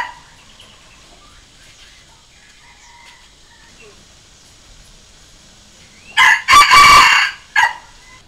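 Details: Decoy junglefowl rooster crowing to lure and challenge wild junglefowl: after six seconds of quiet, a single loud crow with a short opening note, a long sustained middle and a brief clipped ending.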